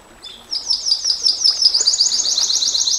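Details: Canary singing in the long 'nembak panjang' style, used for tutoring and provoking other canaries: after half a second of quiet, fast buzzy rolls start high, then climb into a rapid rattling trill that keeps going steadily to the end.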